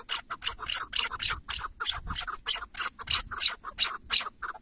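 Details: Rapid, sharp, somewhat higher clucking notes from a tethered decoy chukar partridge during a hunt in Şırnak, Turkey, about three per second and uneven in spacing, with soft low thuds in the background.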